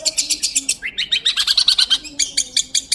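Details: Long-tailed shrike singing actively, recorded as clear master audio for training magpie-robins: rapid bursts of high chattering notes, then a run of sharp descending slurred chips, then more high chirps.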